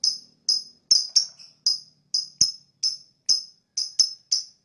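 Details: Lovebird chirping, the sound used to attract other birds: short sharp high chirps repeated about twice a second, each with a brief falling tail, some in quick pairs, in an otherwise quiet room.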